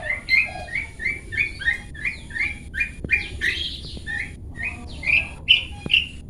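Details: Long-tailed shrike 'toet toet' song, used as tutor material for pet birds: a rapid series of short, repeated whistled chips, about two per second, mixed with harsher squeaky phrases and a few faint clicks.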